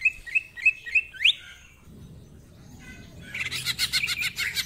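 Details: Actively singing greater green leafbird, ngentrok style with mimicry fillers: five quick evenly spaced whistled notes ending in a rising sweep, a quiet pause, then a dense buzzy chatter of high notes.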